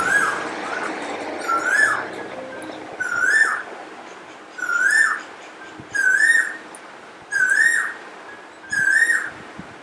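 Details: Parrot filmed in the morning with natural sound: a whistled, rising, slightly warbled call with bright overtones, given six times at roughly one-and-a-half-second intervals over a soft background hiss.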